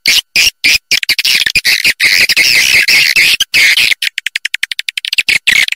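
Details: Swiftlet calling sound meant to lure birds to stay and nest, rapid dense high twittering chirps in bursts with abrupt cut silences between them, busy and rasping throughout.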